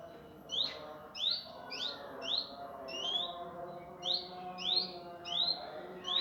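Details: Indigo in a rough, fast-paced song used as master training material for cage birds: loud, sharp upswept chirps repeated roughly every half second to second, over a faint steady hum.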